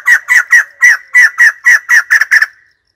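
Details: White-crested laughingthrush giving a loud, harsh cackling series of about ten rapid chattering notes over two and a half seconds, quickening toward the end before stopping abruptly.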